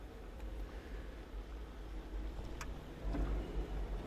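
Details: A low engine rumble dominates throughout, with light rustling and a single sharp click; no animal sounds.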